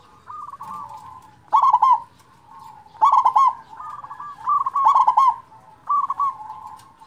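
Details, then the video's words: Big-voiced local zebra dove singing as a lure for silent zebra doves: four emphatic stuttered coo bursts, each followed by gentler wavering coos, with a soft, quieter phrase opening the sequence. "perkutut lokal suara besar cocok untuk pancingan perkutut malas bunyi"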